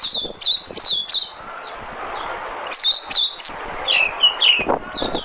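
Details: White-eye lure song: spaced high, sharp downslurred chirps in small clusters, separated by quieter gaps.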